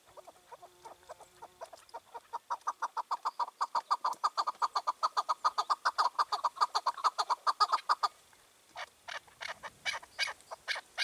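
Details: Evening recording from 4 June 2023 of a wild chukar partridge released two years before, now ruling its area. Soft notes swell into a long rapid chuck-chuck run that stops abruptly, followed by a few harsher, broader notes.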